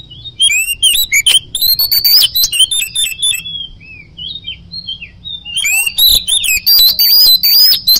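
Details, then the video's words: Oriental magpie-robin delivering energetic 'ngoceh gacor' song: dense runs of loud, sharp, varied notes and rapid trills, a quieter pause of soft scattered whistles, then another loud burst of crisp ringing phrases. "Suara Kicau Burung Kacer - Ngoceh Gacor"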